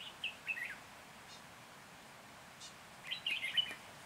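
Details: Red-whiskered bulbul used as a decoy at a trap in Lăng Xăng, Hòa Bình, January 2021: a short twittering phrase, a pause of about two seconds, then a longer, lively warbled phrase over faint background noise.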